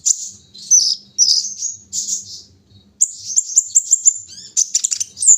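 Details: Brown-throated sunbird in the early morning dew singing high squeaky phrases, then a rapid run of sharp chirps and quick descending notes, with a faint low hum behind.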